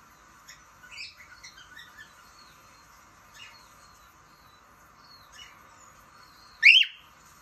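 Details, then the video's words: Cockatiel kept as a pet gives scattered soft chirps and faint whistles. A single loud, sharply rising whistled note comes near the end over low steady hum. "COCKATIEL SOUNDS"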